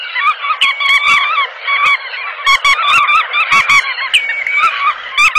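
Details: Dense chorus of bar-tailed godwit calls: nasal, slightly rising yelps stacked in layers without pause, broken by short sharp clicking sounds.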